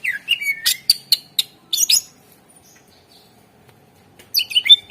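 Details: Greater green leafbird singing actively as a lure for other birds: a fast sequence of descending whistles, sharp chips and buzzes, a quiet gap, then a renewed tangle of twisting notes.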